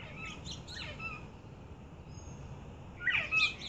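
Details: Eight-week-old northern bobwhites, not yet giving the regular bobwhite call, make their first sounds, thin high chirps and short whistles in brief bursts, alert after hearing a played bobwhite call.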